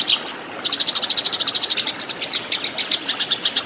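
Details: Eurasian tree sparrow in a fighting song for training caged birds: one upslurred note, then a quick even series of bright, clipped chirps, over three per second, continuing to the end.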